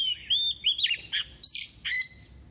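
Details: A female Oriental magpie-robin used as a decoy sings double-voiced song to excite males, a lively string of whistles, harsh buzzy notes and rising slurs, ending in a clean falling whistle.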